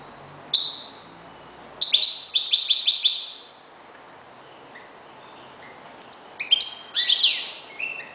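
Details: European goldfinch kept as a decoy bird sings bright, tinkling phrases of quick twittering notes and liquid trills, in two bursts separated by a short pause.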